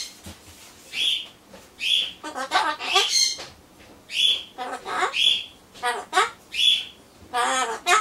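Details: Pet Solomons corella indoors, talking to itself while waiting for pumpkin: a run of harsh speech-like babbled syllables broken by short bright whistled notes, each whistle sliding briefly, in bursts about every second.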